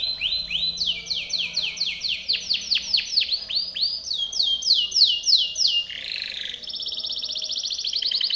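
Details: Powerful Timbrado canary song for training canaries: accelerating series of loud downward-curving notes rising into rapid trills, a brief harsh buzz, then a very fast fine rattle.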